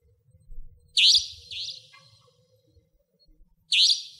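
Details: Savanna Nightjar, a nocturnal bird in Pingtung County, Taiwan, recorded 2014–2015: sharp, harsh high-pitched buzzy notes, two close together then a third after a pause, over quiet low rumble.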